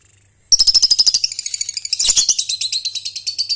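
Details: Young lovebird (Balibu/paud) learning to trill ngekek, used to train young birds; after half a second of quiet, a loud rapid rattling trill of sharp high pulses, about three per second-fraction, runs steadily to the end.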